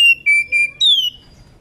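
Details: Female Oriental magpie-robin in breeding condition calling its companion: three short, steady whistles on one pitch, then a longer, higher whistle that slides down.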